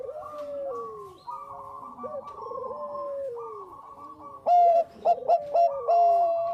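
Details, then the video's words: Bangkok-type zebra dove singing vigorously, meant as a lure: several gliding, falling coos from background birds, then a loud series of short clipped coos and a held final note. "SUARA PERKUTUT BANGKOK GACOR AMPUH UNTUK PANCINGAN"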